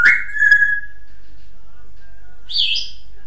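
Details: Pet African grey parrot giving a clear whistled note that falls slightly and holds steady for about a second, then a short burst of higher, raspy chirps near the end, with a quiet room in between.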